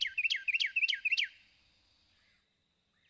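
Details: A Carolina wren, one individual's variable repertoire beyond its typical "teakettle" song, sings a fast, loud string of five ringing, rolling phrases, about three per second, then a brief fading ring and silence.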